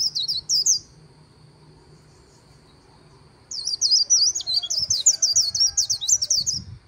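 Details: White-eye giving 'líu' song by the Kỳ Cùng River: a brief high twitter, a pause of nearly three seconds, then a fast, squeaky, rolling string of sliding notes lasting about three seconds over a soft low background rumble.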